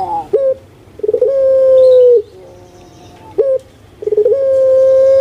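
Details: Captive Indonesian puter pelung (Barbary dove) giving repeated coo phrases, used as a lure for silent doves: two cycles, each a short sharp note, then a stuttering onset swelling into a long level coo about a second long.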